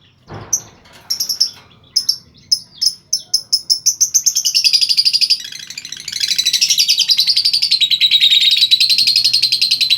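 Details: Lovebird in full song, played so listening lovebirds join in: sharp shrill chirps quicken into a dense, continuous high chattering trill that runs on for several seconds.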